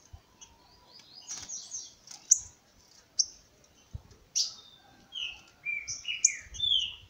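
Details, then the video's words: On 28 August in the late morning, a green-winged saltator (trinca-ferro) gives short descending whistled notes in a quick phrase near the end, preceded by sharp clicks and taps. "Trinca Licutil boi"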